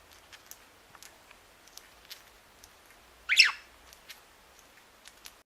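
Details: A budgerigar in a small home flock grinds its beak, a contented sound usually heard at day's end on the sleeping perch: soft, dry, irregular ticks and rasps, interrupted once by a brief, louder chirp.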